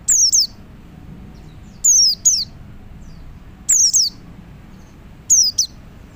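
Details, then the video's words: Male white-eye calling other white-eyes: loud, piercing, falling notes grouped in twos and threes, roughly every one and a half to two seconds, in a quiet setting. "CALL 1,2 PLECI JANTAN MEMANGGIL PLECI LAIN"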